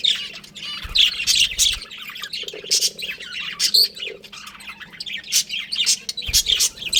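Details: Budgerigars of a breeding pair chirping busily: dense bursts of sharp, high twittering chirps overlap almost without pause, with a few harsher squawky notes and a faint low hum beneath.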